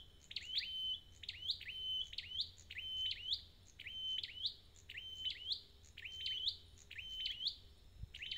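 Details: Red-headed flowerpecker, caught in the wild, sings a long run of high, sharp, flicking notes with trailing level whistles. About a dozen nearly identical phrases follow at a brisk, even pace.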